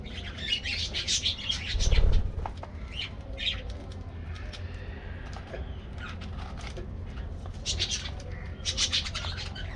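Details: Budgerigar colony in an aviary, morning treat time: clusters of bright, high chirps, a quieter warbling middle stretch, then more chattering bursts over a low steady hum.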